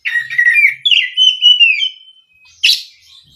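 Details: Oriental magpie-robin song used as a lure to provoke other magpie-robins: sweet whistled phrases, first warbling then a long level whistle sliding slightly down, followed by a short burst of a harsher note after a pause.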